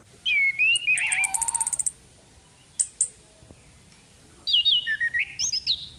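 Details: A female orange-headed thrush, played as a lure, gives wavering whistles with a rattling burst of fast clicks, a couple of isolated sharp notes, then a lively string of twisting whistled phrases.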